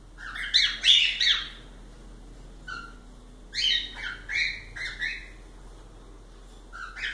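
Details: Pet cockatiels give a dense, loud chirping flurry, then a pause, then a series of shorter rising chirps and a few soft lower notes.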